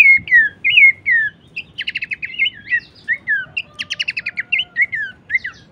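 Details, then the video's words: Horsfield's babbler song, played to train songbirds: clean downslurred whistles alternating with quick rattling trills of short high notes, in a quiet setting. "masteran dan pancingan bunyi khas burung pelanduk semak"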